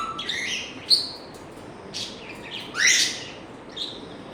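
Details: African grey parrot giving a mix of chirpy whistles: a low short note, a high pip, then a loud rising sweep that sails upward, ending with a faint trailing chirp.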